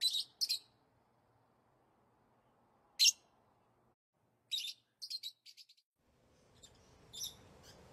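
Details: Lovebirds chirping as pets; isolated sharp, shrill high chirps and short squeaky clusters separated by long quiet gaps, with faint low background noise toward the end.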